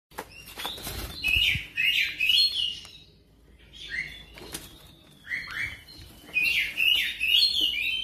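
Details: Oriental magpie-robin lure song, fast and rolling: bursts of warbled, twisting whistled phrases with brief pauses between, alongside some fluttering and rustling noise.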